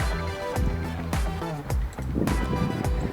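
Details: Music with a steady beat and low tones fills the passage; no animal calls can be picked out.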